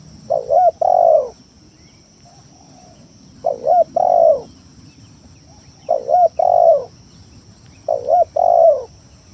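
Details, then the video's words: Spotted dove giving a lure song to provoke rivals and get silent doves calling: four identical phrases about every two and a half seconds, each a quick stuttered double coo then a longer falling hoot. "Suara Pikat Tekukur Tanah full gacor Nekan lawan"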